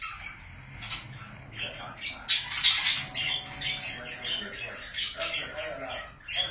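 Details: Pet budgerigars chattering indoors: buzzy, scratchy squawks and rapid chirps, loudest burst midway, with faint wing flutters and soft background noise.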